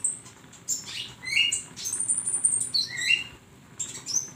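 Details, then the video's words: Flowerpecker singing for a songbird training recording, high sharp twitters and brief upslurred whistles in quick irregular clusters, separated by a short pause near the end. "masteran burung Konin"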